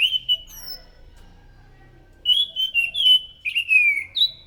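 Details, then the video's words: Loud anis macan thrush song, used as a lure: one long whistled note, a short pause, then a rapid string of rich slurred whistles and warbles, the final note rising. "PANCINGAN BUNYI BURUNG ANIS SANGAT EFEKTIF, SUARA ASLI ANIS MACAN GACOR TEMBAKAN SUARA NYARING!"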